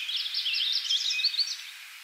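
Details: A purple finch sings in Naubinway, Michigan, USA on 25 May 2023: a fast, rich warble of tumbling high notes running on without a break for two seconds, with a faint background hiss.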